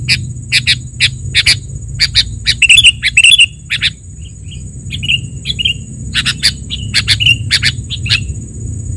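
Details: Sooty-headed bulbul in a lure and tutor recording, giving short, bubbly whistled phrases around a mid-high pitch mixed with sharp clicking notes, over a steady high insect hiss.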